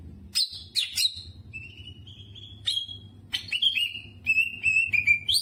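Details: Greater green leafbird singing sharp high chips and level, drawn-out whistles in jamtrok style, repeated over a steady low humming background.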